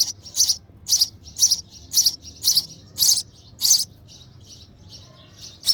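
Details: Sparrow chick being fed by its mother in the nest, begging with loud, high, piercing chirps about twice a second, with softer chirps in the gaps before a short pause.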